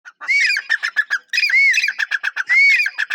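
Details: Grey francolin, locally called teeter, calling loudly: three ringing bursts, each an arched rising-falling note followed by quick clipped, rhythmic pulses, coming about once a second with no other sounds.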